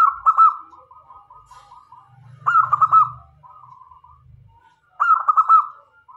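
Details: Zebra dove of local stock, singing actively as a lure for other doves, gives three loud stuttering cooed phrases about two and a half seconds apart, each trailing into a row of softer rolling notes.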